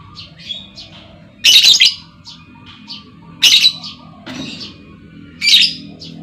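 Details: A female lovebird calling to draw answers from other lovebirds: three loud, rasping shrieks about two seconds apart, separated by soft, short chirps and a faint steady hum.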